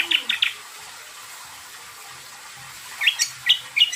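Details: Greater green leafbird (cucak kombo) song used as a lure to make other birds answer: short bursts of sharp, high chirped notes open the recording, followed by a quiet gap, then a rapid run of bright whistled chips.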